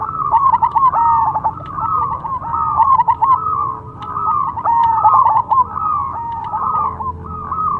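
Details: Continuous song of a Cemani perkutut, or zebra dove: dense, rolling cooing phrases of short repeated notes, barely pausing, over a quiet low hum.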